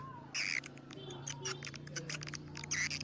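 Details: Swiftlet lure call: buzzy twittering bursts at start and end with scattered quick clicks between, over a low steady hum.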